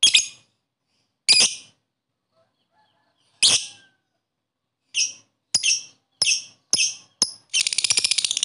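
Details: Lovebird giving harsh, sharp chirps, first spaced about a second apart, then quicker, ending in a rapid buzzy rattling burst, with no other sounds.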